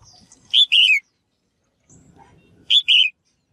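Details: Female bird calling to encourage males to sing: a loud two-note phrase, a short high chirp then a longer sliding-down note, given twice about two seconds apart over faint low murmuring.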